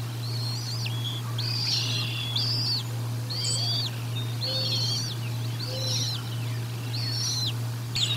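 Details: Feeding at the Decorah North bald eagle nest, nest-cam recording from 04 01 2022: regular high, arched, whistled chirp phrases about once a second, each falling at the end, over a low constant hum.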